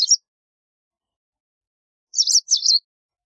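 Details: White wagtail: a short high chirp at the start, then after a gap two rapid buzzy, twittering notes run close together. Nothing else is audible.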